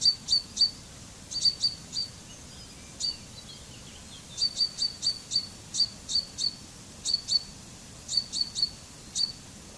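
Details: Common chaffinch (Fringilla coelebs), a bird of woodland, gardens and farms, giving short high notes in quick pairs and bursts of three or four, repeated through the recording over quiet background hiss.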